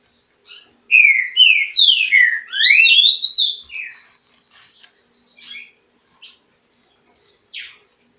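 A Green-winged Saltator gives a loud, rich phrase of slurred whistles falling and rising over about three seconds, then a few softer trailing notes.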